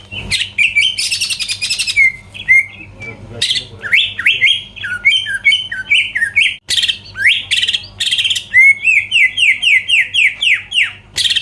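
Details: Greater green leafbird song to rouse rival birds: opening harsh buzz, varied chattering and whistled phrases, then a fast even series of descending whistles near the end.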